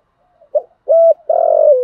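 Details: Single partial phrase from a decoy spotted dove calling to provoke wild males: a short note, one steady clipped coo, then a long trilled, rolling coo that tails off as the recording ends.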